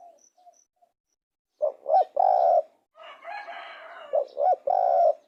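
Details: Spotted dove calling twice, each phrase two short coos and a longer buzzy coo, separated by a harsh rasping crow-like burst.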